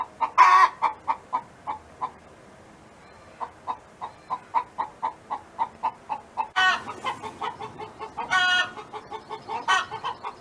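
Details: Farm hen belonging to a neighbor delivers regular short clucks, about three a second, broken by loud harsh squawks at the start and several more in the second half.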